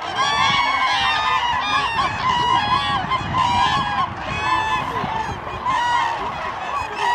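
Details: A crowd of common cranes at Lake Hornborgasjön gives loud, rolling trumpeting calls that overlap without pause, many birds bugling at once in a dense chorus.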